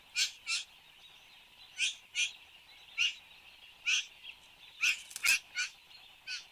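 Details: Satin bowerbird, recorded in Australia at 8:02 am on 10 January 2015: rapid series of hoarse, buzzy bursts, often in pairs, with two clicks near the end and a shrill constant drone throughout.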